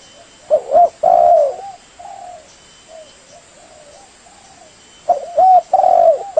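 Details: Spotted dove call used as a trapping lure: a loud two-part coo, a short wavering note then a longer drawn-out one, repeated after a few seconds, with softer distant cooing between and a faint steady hiss throughout.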